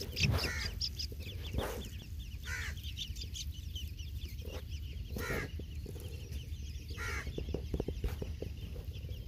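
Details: Grey francolin chicks being fed give thin, high peeps in quick scattered runs over a steady low rumble, with a few louder knocks and rustles.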